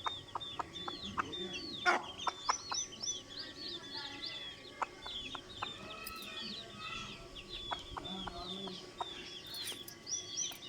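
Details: Hen clucking to her chicks: short sharp clucks in irregular runs, with a dense chorus of high, thin chick peeps sweeping up and down throughout.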